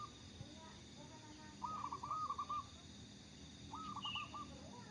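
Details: Local Indonesian zebra dove singing: a soft early note, then rippling, purring coo phrases in two bursts about two seconds apart, with a short high chirp from another bird over steady background noise.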